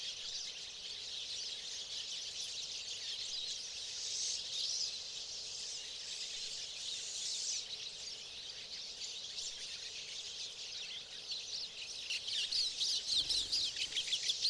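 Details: Pine siskins in the boreal forest of Maine, 2011: a dense, continuous high twittering from several birds, thin chips and trills blending together, with sharper, louder notes toward the end.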